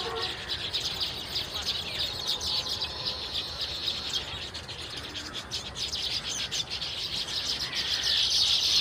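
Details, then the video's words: Baya weavers, weaverbirds of the Indian subcontinent and Southeast Asia, in a flock giving continuous high chirping chatter, swelling louder toward the end, with a few lower whistled notes early on. "Baya weavers birds sound effect"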